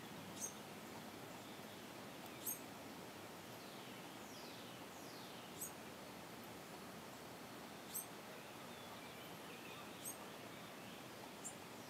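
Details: Carolina wren fledglings, three days out of their nest on a front porch, give thin, very high, short begging notes every two seconds or so, over fainter down-slurred chips and a steady outdoor hiss.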